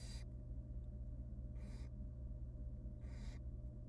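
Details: Wild barn owl nestlings begging in a camera-monitored nest box as the female feeds them small pieces of rabbit; three harsh, breathy hissing bursts about 1.5 seconds apart over a steady low hum.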